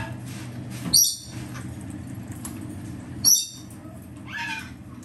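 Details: Three captive green-cheeked conure chicks, hatched mid-July 2024 (two males, one female), give two sharp, shrill squeaks about two seconds apart, then a softer, lower nasal call, over a steady low indoor hum.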